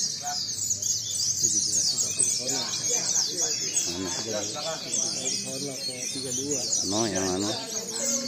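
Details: Several white-eyes at a mixed singing contest keep up a high, busy twittering song, overlaid by a man's talking voice and some lower warbled sounds.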